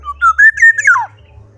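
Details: Black-naped oriole singing actively: a rich whistled phrase of three or four mellow notes that climb, level off, then drop in a sharp downward slur. Low background hum is present.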